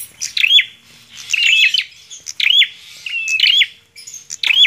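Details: Bar-winged prinia giving quick whistled phrases, some drawn out into a wavering trill, interspersed with sharp high chips.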